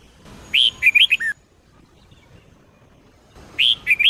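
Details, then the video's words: A red-whiskered bulbul sings in the Sông Kôn style for training caged bulbuls: one phrase of a loud upslurred whistle and several quick warbled notes dropping at the end, then a second phrase begins after a two-second pause. "chào mào SÔNG KÔN hót cực hay"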